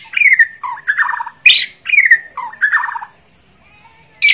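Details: White-rumped shama, Bornean form, singing actively: a repeated phrase of a falling whistle, a low note and a rattling burst capped by a sharp high note, given twice, then a pause before another sharp note.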